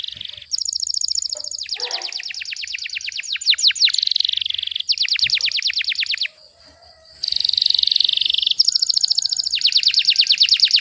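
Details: Canary song used for tutoring birds at home, in the dense rapid-fire style: fast trills of descending sweeps, long buzzy rolls near the top of the range, a brief pause around six seconds, then the rolling tours resume.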